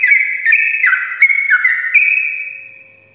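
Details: Sooty-headed bulbul in the morning, a long rapid-fire ropel song used to lure lazy bulbuls into singing: bright whistled notes stepping down then jumping up, about three phrases per second, ending in a fading held whistle.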